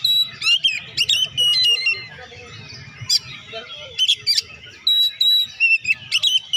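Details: Oriental magpie-robin song used to stimulate quiet birds, a run of bright whistles, trills and sharp squeaky notes in rapid clusters, a low rumble underneath.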